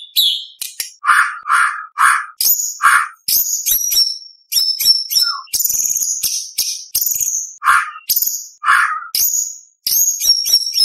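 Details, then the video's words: White-rumped shama song full of inserted phrases for competition training of young spotted birds: alternating low chattering notes and high thin whistles, rapid and nearly continuous, with a few sharp clicks. "Murai Batu Gacor Full Isian ~ Full Tembakan Materi Lomba - Masteran Murai Trotol Tembak Beset Roll"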